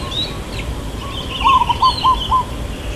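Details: A single burst of local zebra dove song, the long "kuk" in irama lelah style: several clipped, hollow coos in a row midway through, over faint chattering of other birds.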